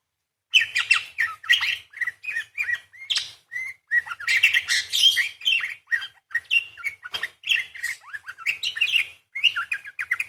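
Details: Vocal parakeet singing long 'beset' and 'crecet' material: continuous chattering warble of mixed squeaky chirps, short rising and falling whistles, and scratchy notes, in quick irregular bursts with almost no pauses.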